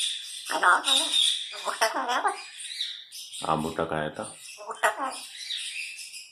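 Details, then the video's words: Pet grey parrot talking indoors, naming fruits in Urdu; several short word-like phrases with harmonic, voice-like tones and hissy upper noise, separated by brief pauses, with faint music in the background. "Talking grey parrot"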